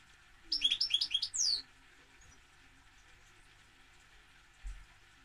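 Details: A single quick burst of goldfinch twittering, several fast chirps ending in a sweeping downward whistle, followed by near silence with a low hum.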